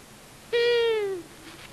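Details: Long-eared owl, a male and female pair visiting a common buzzard nest in Tiszavasvári, Hungary, on March 23, 2022, filmed by a solar-powered nest camera: a single nasal, drawn-out call with a gently falling pitch, lasting about 0.7 seconds, against quiet background hiss.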